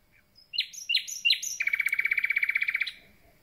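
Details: Common nightingale, just arrived and starting its concert, sings three rising buzzy notes, then a fast, even, machine-gun-like rattle of repeated notes for over a second.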